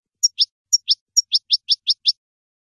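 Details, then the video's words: A European goldfinch song recorded for training juvenile goldfinches: three high, thin paired chirps, then a quick bright run of five twittering notes, against a quiet background. "European Goldfinch Song"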